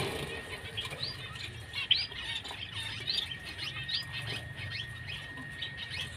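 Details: White-headed munias (Lonchura maja) giving many thin, high chirps in busy overlapping chatter, with a steady high hum behind and soft fluttering.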